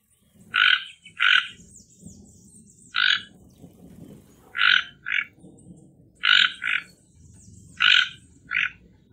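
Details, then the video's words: Toco toucan giving harsh, rasping croaks, single or in quick pairs, repeated about every one to two seconds over a faint low rumble, with a thin high hiss in the background. "Tucano Toco Canto"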